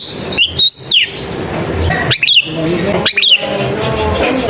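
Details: Long-tailed shrike singing in a crowded neighbourhood, meant to stir a silent bird into answering: three loud phrases of sharply rising and falling whistles, separated by pauses, over a low hum.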